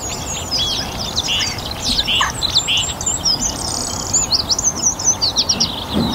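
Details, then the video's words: A song thrush sings in a North Antrim garden on a warm, sunny spring evening, giving bright, fast whistled and chirping phrases mostly in a high register, within a dense evening chorus. "Song Thrush - evening chorus"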